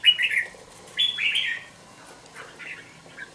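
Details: Two-month-old red-whiskered bulbul kept in a cage gives brief warbled song phrases, two clear bursts followed by softer notes.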